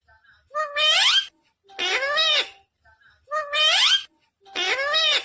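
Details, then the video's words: Talking Indian ringneck parakeet: four loud, voice-like phrases with rich harmonics and rising then falling glides, each lasting about half a second to a second and separated by short pauses, in a quiet indoor setting. "Natural Sound of Talking Ringneck Parrot"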